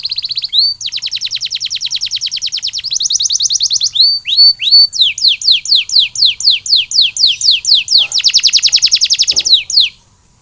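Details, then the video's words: Canary song offered for post-molting recovery: rapid high trills, then a run of sharply descending whistled sweeps about three per second, closing with another dense rolling trill; a faint low background rumble. "Post-Molting Recovery: Get Your Canary Back to Gacor Faster!"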